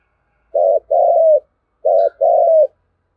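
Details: Spotted dove 'thúc gù' cooing in the native-field voice, a lure meant to stir wild doves to call back: two phrases, each a brief coo then a longer, gently falling coo, separated by a pause.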